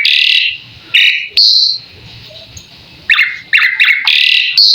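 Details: Asian pied starling song used as a master recording to prompt other birds to answer: loud harsh whistled blasts, a quiet gap, then a fast series of clipped chirps and a final buzzy note.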